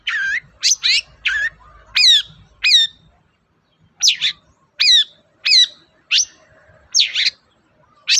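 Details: Cendet or long-tailed shrike, played to coax a silent shrike into singing: bursts of rasping, squawky notes with curved upward-then-down inflections, delivered in quick groups with a short pause in the middle.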